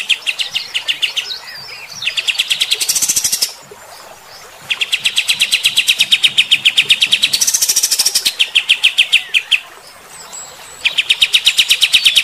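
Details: Kapas tembak, or white-shouldered triller, delivering rough shot-like song: long volleys of rapid, evenly spaced staccato notes, several bursts flaring brighter and buzzier, separated by brief quiet gaps, with faint background hiss.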